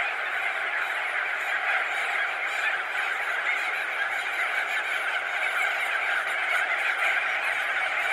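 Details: A dense, unbroken chorus from thousands of crested auklets, perched and wheeling overhead at a colony: countless honking, trumpeting calls blending into one steady roar.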